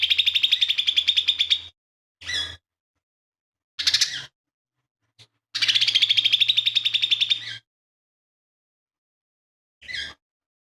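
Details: Lesser green leafbird, a tutor singer with fighting sparrow, buto kingfisher and cililin imitations; two long, fast trills of sharp high pulses, separated by short harsh chattering bursts and a few isolated notes.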